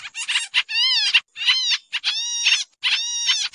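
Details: Pied triller lure sound for trapping, noisy and restless: coarse chattering notes mixed with clearer overtone-rich slurred calls, arranged in a few tight bursts with short silences.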